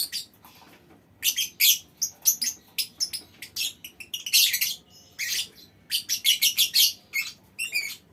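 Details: Lovebird colony in a mini aviary: many sharp, high chirps and scratchy squawks in quick irregular series, some rapid stuttering runs near the end, calls from several birds overlapping.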